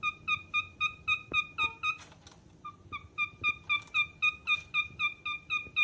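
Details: Cockatiel calling with short, even chirps repeated nearly four times a second in a very regular rhythm, briefly interrupted midway by a soft noisy patch.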